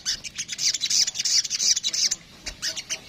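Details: Crimson sunbird (sogok ontong) delivering kemrecet song: a rapid run of shrill, high chittering notes lasting about two seconds, then a short gap and a few scattered sharp chips.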